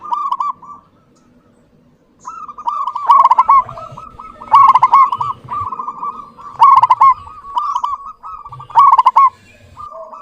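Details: Clear-voiced local zebra dove singing steadily: rolling, stuttered cooing phrases repeat about every two seconds, each with a brighter accented burst partway through, over faint low background hum.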